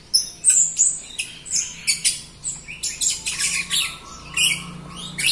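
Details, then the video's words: Captive Jalak Rio myna singing profusely, its song used to coax reluctant or young group-kept Rio birds into singing; rapid, varied high chirps, squeaks and whistles in dense bursts, with a faint low hum behind. "JALAK RIO GACOR untuk pancingan RIO RIO BAHAN OMBYOKAN & MALAS BUNYI"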